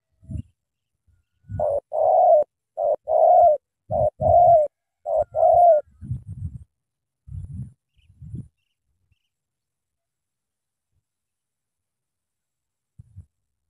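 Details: Spotted dove (cu gáy) from Cà Mau cooing: a run of five or six steady, hollow mid-pitched coos in quick succession, followed by low soft thumps, then near silence.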